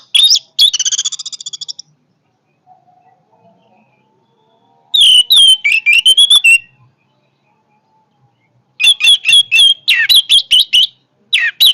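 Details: Powerful orange-headed thrush song in three bursts separated by silence: a rapid trilled rattle at the start, then two long runs of loud, fast, varied whistled and buzzy notes, with a brief final phrase.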